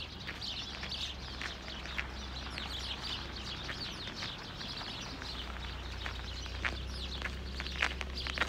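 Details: House sparrows, many of them, in Hedbergska parken, Sundsvall, on 26 November 2023, giving a thick chorus of short chirps and cheeps with sharp clicky notes, over a steady low drone.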